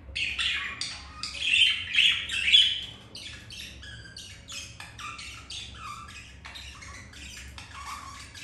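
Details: Caged budgies mating after one female rejected the male; loud raspy warbling chatter for the first seconds, then quieter rapid clicks and short chirps, over a faint low hum.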